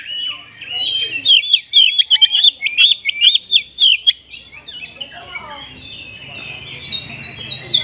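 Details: Oriental magpie-robin in a cage, loud and rich filled song used to push reluctant caged birds into singing; fast string of sharp chirped notes, then softer varied warbling with a faint low hum behind.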